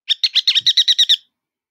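A Ruddy Turnstone gives a quick, high chattering rattle of about eight sharp notes in just over a second, with nothing else heard.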